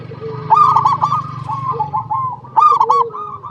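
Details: Local zebra dove song used as a lure to prompt other zebra doves to sing: two bouts of bubbling, rolling coos in quick pulsed notes over a steady low hum.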